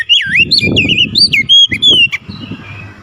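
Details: Vigorous oriental magpie-robin song aimed at stirring a quiet bird: looping, warbling whistles in fast sequence, then a few sustained clear notes, over a noisy, crackling low background.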